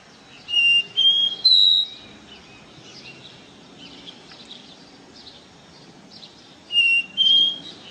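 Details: Caboclinho seedeater in 'ré mi' style, a run of three rising whistled notes, then quieter bird twitter, and two more rising whistles near the end.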